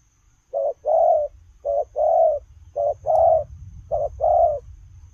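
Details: Spotted dove running and cooing: after a quiet start, clipped short notes each followed by a longer hoarse coo, four pairs in quick succession, over low rumbling background.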